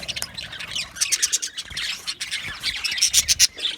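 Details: Budgie parakeets chirping while communicating: quick bursts of bright squeaky notes, roughly four a second, from overlapping birds, with a short lull near the middle.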